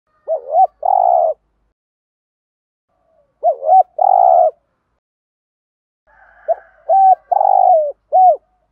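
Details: Spotted dove cooing as a lure to rouse a caged male: three phrases about every three and a half seconds, each a quick double coo followed by a longer, fuller coo, the last phrase stretched with extra short coos at the end.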